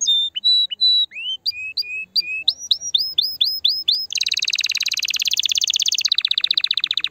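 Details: Canary song for stimulating the female canary and encouraging breeding: spaced whistled notes, then a series of rising upswept chirps, then a rapid dense buzzy trill that drops lower near the end.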